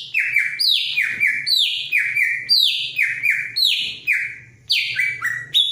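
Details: A greater green leafbird (Chloropsis sonnerati) in breeding condition and eager to mate sings loud, ringing whistles that slide sharply downward, about twice a second, with bright chattering overtones over a faint low hum.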